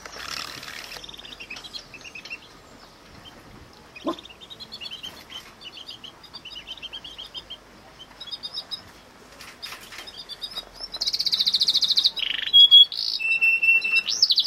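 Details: Female Yorkshire canaries fighting at the nest give bright, high chirping notes in quick repeated bursts, ending in louder, sharper calls.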